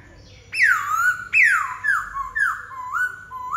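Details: Black-throated laughingthrush song: bold whistled notes each starting high and swooping down to a steady lower tone, given about five times in quick succession, strong and clear.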